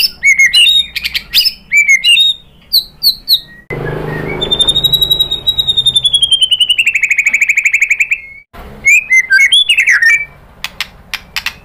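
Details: White-rumped shama in full song, played to provoke other shamas into answering: clear whistled phrases and rapid chirps, then a long descending trill of fast repeated notes, ending with more varied whistles and sharp chips.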